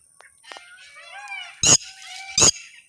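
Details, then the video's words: Red-wattled lapwing uttering two loud, sharp, harsh notes nearly a second apart, preceded by faint warbling and whistled notes from other birds in the background. "Red wattled lapwing"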